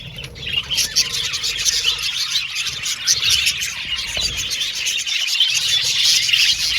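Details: Many budgerigars in an aviary colony, a rapid stream of overlapping chirps and warbles growing louder after a quieter opening, with faint low background rumble in places.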